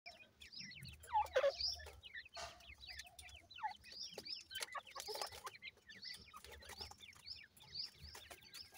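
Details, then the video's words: Grey francolin chicks kept at home, giving many thin, high, downward-slurred peeps in quick overlapping series, several birds calling at once, with a few louder rustles and knocks. "dakhni teetar chicks ki video,cute tetar babies"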